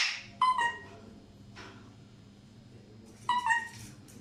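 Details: Alexandrine parakeets giving two brief bright calls, one near the start and one near the end, separated by a quiet stretch of low hum.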